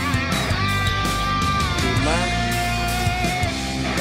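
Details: Loud rock music with electric guitar fills the whole recording, with no animal sound heard.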